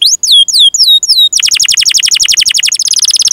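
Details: Canary in full, prolonged song meant for training young or silent canaries: a few slurred descending whistles, then a rapid dense trill of repeated sweeping notes that speeds up near the end.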